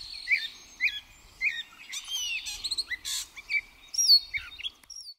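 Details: A gray catbird sings at Pleasant Valley Wildlife Sanctuary on May 4, 2024: a rambling, unbroken run of squeaky, warbled and chattering phrases, each one different, with bright upslurred notes and no other sounds.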